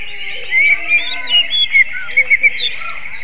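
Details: Greater green leafbird giving a kacer-style song, like a magpie robin: clear high whistled slurs and quick chips over a steady chattering background, with a burst of three sharp notes near the end.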